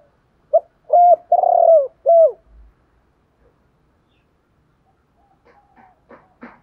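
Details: A spotted dove's call used to prompt wild-caught birds to call: one low four-note cooing phrase, short, steady, long and rolling, then falling, followed by silence and a few faint clicks and knocks.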